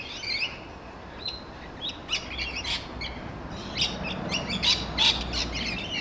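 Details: Rainbow lorikeets feeding on a large grevillea in a back garden, screeching: harsh, buzzy high squawks in irregular bursts, overlapping calls from several birds, with a steady background hiss.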